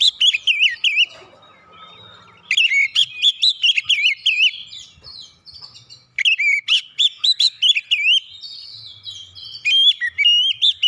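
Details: Oriental magpie-robin song used to provoke other birds to sing: three strong bursts of rapid, bubbling whistled notes with sharp high overtones, broken by short pauses and soft fluttering notes.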